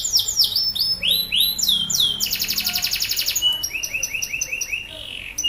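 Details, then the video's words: Male canary in full loud song, used as a lure to get other canaries singing, mixing sweeping downward whistles, a dense buzzy trill and rapid repeated lower chirps. "Burung kenari jantan gacor pancingan kenari macet auto bunyi"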